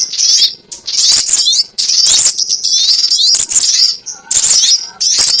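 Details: Crimson sunbird trapping lure: shrill, high twittering phrases with quick up-and-down notes, grouped into bursts of about one second with short silences between them.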